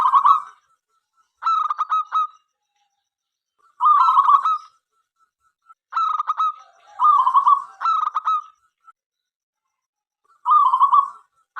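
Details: Lively local zebra dove song intended to get other doves singing; stuttering, rattling coo phrases in seven bursts separated by brief pauses.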